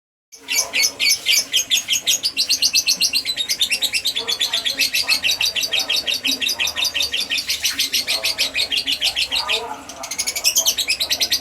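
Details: Lovebird of the fighter type, recorded as a lure sound meant to make other lovebirds answer, delivering a dense, rapid stream of high, scratchy chirps and twitters, continuous for about eleven seconds after a brief silent start, with a short dip near the end.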